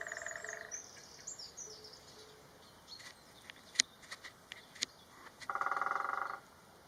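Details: A great spotted woodpecker, recorded from a hide in Galdames, Bizkaia, drums a rapid roll of about a second, with fast, even strikes near the end. Scattered taps and other birds' high chirps and whistles come earlier.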